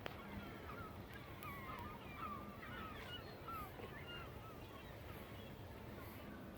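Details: A large flock of birds takes off from and lands on a lake in New Jersey. Many short, chirping calls overlap and scatter throughout, over steady wind and water noise. A person speaks softly nearby.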